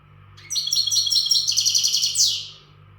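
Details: Untutored Western goldfinch delivering a powerful readiness song, a single rapid phrase of bright, jangling high trills and tinkling notes running about two seconds before a falling slur, with a steady low electrical hum beneath.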